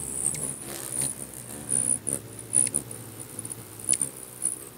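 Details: Many hummingbirds fighting over a sugar-water feeder in Bigfork, Montana: short, very high squeaky chirps scattered every half second or so over a low, steady whir of fluttering wings.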